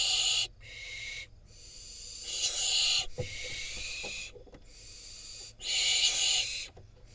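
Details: Wild barn owl fledgling in Israel, after prey delivery by its parents: irregular hissing screeches of varying length and loudness, with soft rustling and tapping between them.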